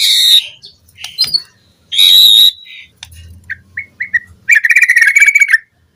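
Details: White-rumped shama song, recorded as a lure for captive birds. Buzzy bursts lead into a whistled note, then short spaced chips and a fast, rattling, trilled phrase.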